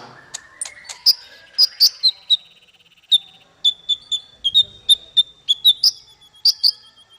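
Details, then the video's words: Master song for small fighter birds to copy: high thin sustained whistle with rhythmic sharp chirps laid over it at a steady pace, plus a soft fast rattle early on. "Masteran paling merdu untuk burung faigter kecil"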